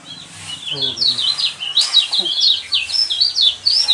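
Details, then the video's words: Yellow white-eye song used to provoke caged birds into singing: a loud, high, fast warble of twittering, sliding notes, continuous throughout, with faint low hum beneath. "burung pleci kecial kuning mana yang nggak kepancing emosinya dengan suara seperti ini"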